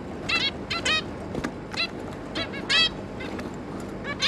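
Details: Three juvenile zebra finches with their parents, 11 May 2022, giving irregularly spaced short nasal beeps, roughly forty a minute, some doubled, over faint background noise.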